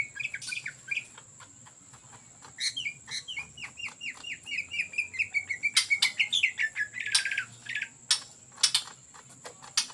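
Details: Ngetrok-style song of an actively singing greater green leafbird, used as a lure: a rapid chain of short downslurred whistles that flows into a fast rattling flourish, with loud clicks and a steady high background tone.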